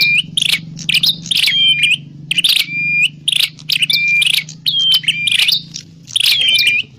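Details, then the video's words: Grey prinia lure calls for bird trapping: loud bursts of squeaky, high chirps, each ending in a clear down-slurred whistle, repeated roughly every second with short pauses; steady low hum in the background. "Suwara Burung Prenjak_klawu Buwat_Mikat"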